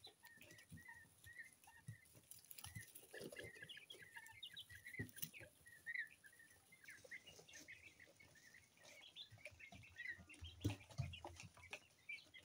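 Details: Brood of two-week-old mixed-colour coturnix quail chicks peeping steadily, many short high chirps overlapping throughout, with soft low knocks and handling noise in the background.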